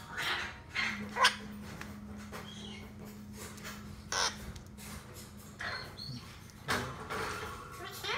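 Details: A hand-fed male red-shouldered macaw about one month old gives three short, harsh, raspy squawks a couple of seconds apart, with soft voices and a steady low hum in the background.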